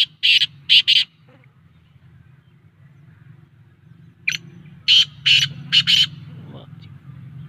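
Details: Black francolin (kala teetar) calling in an excited mood: a quick burst of three harsh, grating notes, a pause, then a longer run of five rasping notes, over a steady low hum.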